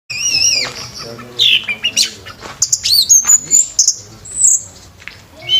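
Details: Scarlet myzomela song: high thin whistles and sharp chirps, with fast descending sweeps and brief trills repeated in short bursts.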